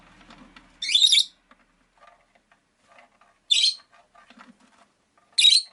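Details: Window-side caged rosy-faced lovebirds call with three loud rasping shrieks, the first longest, over faint quiet chattering.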